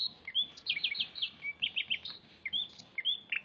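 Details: A Banyuwangi-type greater green leafbird in full daily song, crest raised in a fighting posture, sings a fast run of bright, high chirps and slurred whistles, several notes per second, varied and lively, with a faint background hum.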